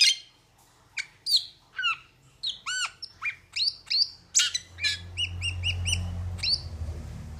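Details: Metallic starling gives varied, high chirps, downward-slurred whistles and squeaky notes, then a rapid run of evenly spaced ticking notes over a low rumbling background noise.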